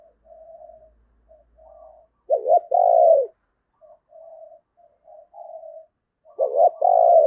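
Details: Decoy spotted dove cooing to lure wild doves: soft, quiet coos at first, then two loud phrases, each a quick double note followed by a long, hoarse, slightly falling coo.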